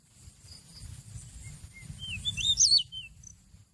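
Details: Seychelles magpie-robin song used as a lure for trapping birds, recorded November 2016: a few soft whistles, then a quick run of slurred, up-and-down whistled notes peaking mid-phrase, over a low steady rumble.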